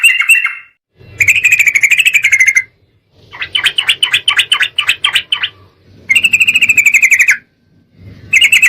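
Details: Sooty-headed bulbul lure meant to set other bulbuls singing: alternating bursts of harsh, buzzy trills and rapid stuttering notes, with brief silent gaps.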